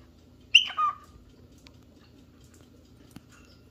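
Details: Cockatiel calling out for a partner or playmate, giving a single loud two-part call, a sharp high onset sliding down into a lower sustained note, then quiet with a faint click.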